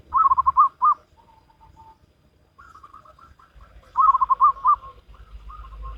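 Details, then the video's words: Local wild zebra dove cooing in the salendro rhythm style: loud rolling phrases of rapid pulsed coos, each phrase about a second long, with fainter echoing coo series between them and a low rumble underneath. "Perkutut Lokal Alam Manggung Gayer Irama Salendro"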